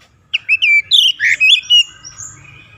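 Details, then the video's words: Oriental magpie-robin song played to stimulate lazy birds to sing: a short run of sharp, clear whistled and chirped notes, rising and falling, delivered in quick bursts. "KICAUAN SUARA TAJAM JERNIH PEMULIH AMPUH KACER MALAS BUNYI LANGSUNG GACOR"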